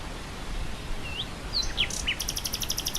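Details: Nightingale song with wind blowing through grassland: a few clear, slurred whistles, then a fast, buzzy, high-pitched rattling trill against a constant windy hiss.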